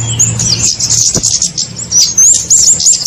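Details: Kemade birds twittering densely in a lure recording for trapping small birds, with quick high looping whistles and chirps, a short dip, and a low hum throughout.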